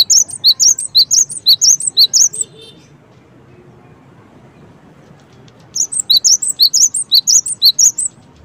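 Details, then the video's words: Cinereous tit giving two long runs of quick, high, piercing chirps, paired notes alternating in pitch, separated by about three seconds of near silence over low background rumble. "suara gelatik batu"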